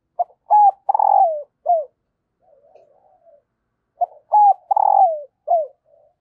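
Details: {'caption': 'Female spotted dove giving a call meant to stir lazy males into cooing: two short low coos, then a long throbbing coo falling at its end, a trailing coo, a soft murmur, then the whole phrase repeated.'}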